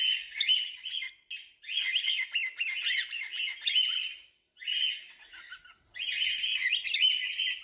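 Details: Cockatiels squawking and chattering in several harsh bursts, with short quiet gaps between them.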